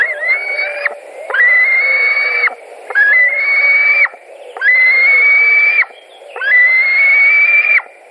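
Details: A White-tailed eagle at its Latvian nest on 16 July 2020, a parent bringing fish in the morning. Five long, strained, whistled calls, each held level for about a second, come in a steady, insistent sequence.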